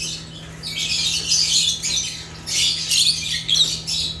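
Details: Agapornis lovebirds from Africa giving harsh, shrill squawking chirps in two loud bursts separated by a short lull, over a steady low hum.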